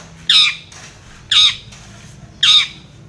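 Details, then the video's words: Long-tailed shrike calling out a rival as a singing lure: three loud, harsh, rasping squawks, each about a third of a second long, spaced just over a second apart. "SUARA cendet gacor MEMANGGIL LAWAN pancingan cendet agar bunyi EMOSI seketika"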